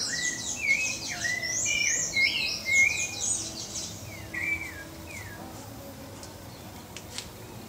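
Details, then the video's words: Brazilian pale-breasted thrush (Turdus leucomelas) opens with a rich tangle of high twitters and whistled slurs, then a few separate descending whistles before quieter background hiss. "CANTO do SABIÁ-BARRANCO (TURDUS LEUCOMELAS) PALE-BREASTED THRUSH"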